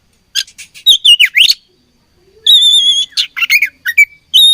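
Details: Fighting oriental magpie-robin: a quick cluster of buzzy notes and a sweeping slurred whistle, a pause, then a long level whistle followed by short varied phrases.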